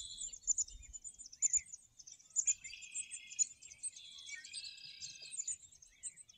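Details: Birds singing at a golf course in Morden, a mix of high chirps, thin whistles and short buzzy trills repeating roughly once a second, with a few sustained warbling phrases and faint background noise.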